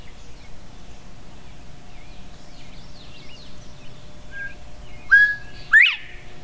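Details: Northern bobwhite (Colinus virginianus) at Goose Lake Prairie State Park, Illinois, gives one clear bob-WHITE song near the end: a short level note, then a loud, sharply rising whistle. Faint chirps from other birds and a low hum sit underneath.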